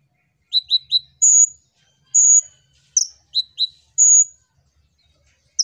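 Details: Van Hasselt's sunbird (kolibri ninja) singing actively, used as a lure to prompt other birds to sing: sharp high chirps in quick triplets alternating with drawn-out thin whistles, spaced by short pauses, with a quiet background.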